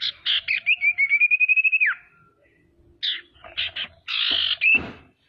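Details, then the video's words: Female common iora calling to stir up rival birds; a rapid chatter of short notes sliding into a long level whistle that drops at the end, then clipped notes and a harsh buzz. "SIRTU BETINA GACOR PANCINGAN PALING AMPUH BIKIN CEPAT BUNYI DAN EMOSI SIRTU LAIN"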